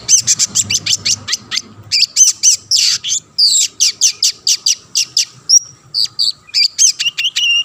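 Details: Long-tailed shrike, kept bird, singing loud and fast to lure other shrikes into singing: a rapid run of short, harsh high notes, mixed with clear whistles and rattling bursts, nearly continuous over several seconds.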